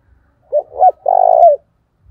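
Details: Spotted dove decoy singing a fight-provoking call: two brief soft coos, the second rising, then a long rough rolled coo that slides down at its end, with faint low knocks in the background.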